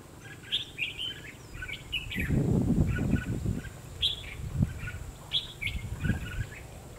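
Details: {'caption': 'Red-whiskered bulbul heard while being trapped with a decoy bird on 22 February 2016. Quick, lively whistled phrases repeat several times. Loud rustling and handling thumps come from below, over a constant background hum.'}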